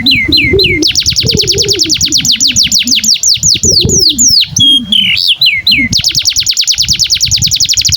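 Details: Domestic canary singing at length as tutor audio for young canaries and silent birds: a few drooping whistles, then a fast roll of high falling notes, a short held whistle and another rapid roll over a low murmur.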